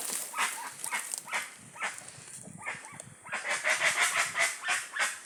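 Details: Guans from a wild flock call in quick, rough pulses about three a second, with a brief squeaky run of notes near the end against a constant high background hiss.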